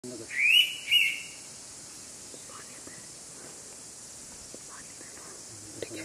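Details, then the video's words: Indian pitta, also called Navrang, calling at Keshavraj Temple in Konkan: one clear two-noted whistle, the first note rising and slurred, the second short, followed by quiet with a steady high hiss of insects. "The Indian Pitta Calls at Keshavraj Temple, Konkan"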